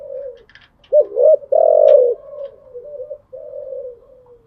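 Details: Spotted dove kept as a pet cooing at dawn: a soft coo, a loud dipping double note, a long strong coo, then gentler trailing notes.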